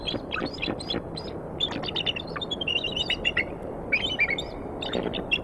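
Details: Nesting eagles in Decorah, Iowa, on a February 2019 morning. The female and a stranger eagle call as the male delivers a mammal. Quick series of sharp, high twittering chirps, repeated in clusters, over a soft background rumble.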